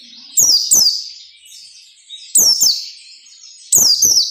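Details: White-eye song in the Indonesian 'ngalas nembak' style, used as training audio for captive birds: sharp, high, falling whistled sweeps given in pairs, three bursts roughly 1.5 seconds apart, with faint lower twittering between them.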